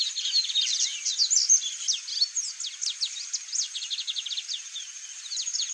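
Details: Free-living chalk-browed mockingbird (Mimus saturninus) delivering a lively, varied song of rapid high chirps, sharp downslurred notes and short trills, tumbling along without a fixed rhythm, over a constant thin high-pitched hum.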